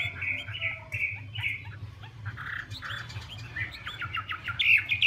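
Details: Chinese hwamei with a female dancing to stimulate the male: fairly faint whistled phrases and short repeated notes that quicken toward the end, partly masked by a steady low hum and background noise.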